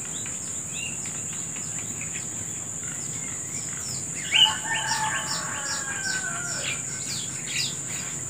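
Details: Wild birds singing in the morning; a series of short descending chirps repeats steadily, joined midway by a louder warbling phrase, over a constant high insect drone and soft outdoor background noise.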